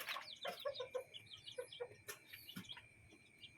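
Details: Chickens with chicks in a yard and coop give soft low clucks in a quick irregular series, faint against a quiet background with a steady high hum.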